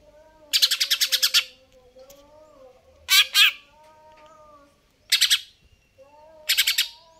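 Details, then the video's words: Greater green leafbird (cucak ijo), in active, full song, gives loud, harsh chattering bursts spaced a second or two apart, one a rapid run of about eight notes, over a low steady hum. "cucak ijo"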